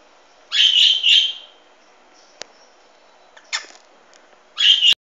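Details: A pet Hahn's macaw, recorded 16 March 2013 in an otherwise quiet room, gives harsh, grating screeches: a doubled burst, a shorter one, then a final screech, with a faint click between.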